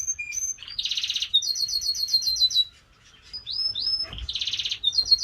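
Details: Slovenian canary song: clear rising whistles, dense buzzy rolls and a rapid series of repeated sweeping notes, with a brief pause midway, faint low hum behind.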